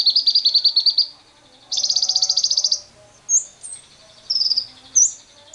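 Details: Lovebird ngekek lure for other lovebirds, with wild birds present: two high rapid trills lasting about a second each, followed by scattered short sharp chirps and a brief stuttering note.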